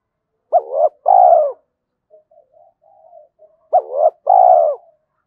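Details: Spotted dove used as a fighting decoy for wild doves, giving two phrases of a short hooked note and a long harsh falling coo, separated by quiet low murmuring.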